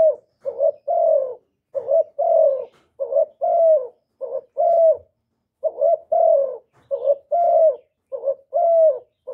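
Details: Kept spotted dove (cu đất, cu cườm) calling to provoke rival males, recorded directly with no stray noise: steady low cooing, short clipped double coos alternating with longer drawn-out falling coos in a repeating rhythm, roughly fifty per minute.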